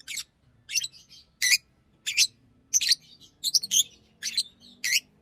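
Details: Green Fischer's lovebird trilling and chirping, nine loud squeaky chirps at a brisk, slightly uneven pace, over a faint low hum.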